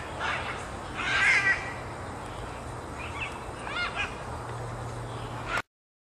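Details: Great green macaws at Grand View Estates give harsh, raspy squawks in three or four bursts over a few seconds, with a steady low hum underneath.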